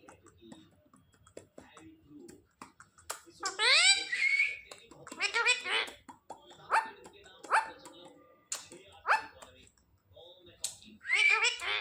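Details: A pet Alexander or Indian ringneck parrot, taught through bonding and daily practice, chatters "Papa Papa". Loud, nasal, rising and falling syllables come in irregular bursts among short sharp clicks, with long pauses between.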